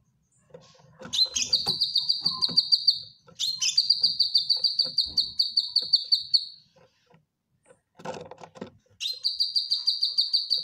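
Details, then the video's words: Cucak kinoy bulbul kept in a cage, singing as a training song. Three long, rapid, pulsing high trills open with rough chattering, separated by pauses, with a scratchy noisy burst between them. "Cucak Kinoy Gacor Masteran"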